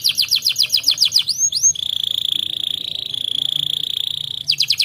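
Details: Canary song played to encourage other birds to sing: fast repeated swooping notes, a couple of rising sweeps, then a long steady buzzy trill before the swooping notes resume, over a low background hum.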